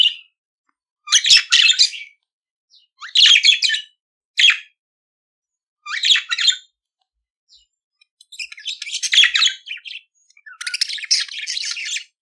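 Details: Budgerigar song used to encourage pet budgies to sing: scratchy chattering bursts with pauses, a few clipped chirps, then two long dense warbling passages.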